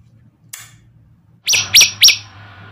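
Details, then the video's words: Male olive-backed tailorbird in vigorous song, a bird later released into the wild: a brief click, then three loud, sharp, high notes in quick succession, each about a quarter second apart, over a faint low hum. "9 variasi prenjak lumut jantan gacor"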